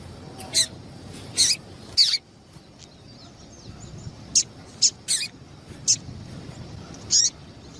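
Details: Female double-collared seedeater call played to prompt males to sing: sharp, high chips, some doubled, at uneven intervals against persistent background hiss.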